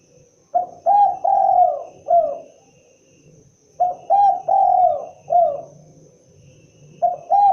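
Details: Spotted dove cooing, a low hollow phrase of several notes with a drawn-out middle coo, given three times about three seconds apart.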